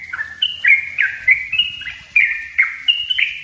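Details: Yellow-vented bulbul, dense ropel rapat song used as a lure and master: quick, liquid warbled phrases repeated several times a second, with a low background hum.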